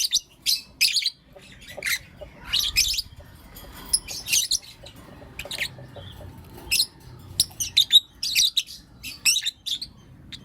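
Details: Morning chirping from caged blue opaline and lutino opaline lovebirds: many short, shrill, high chirps in irregular clusters throughout, some rapid series of three or four notes, over a quiet background.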